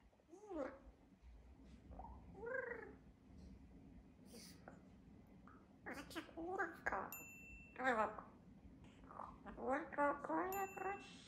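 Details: Pet double yellow-headed amazon living on Vesterøy island near Oslo chatters and praises itself indoors: a series of short, bright, speech-like syllables and phrases, some rising, some falling, with brief pauses between groups.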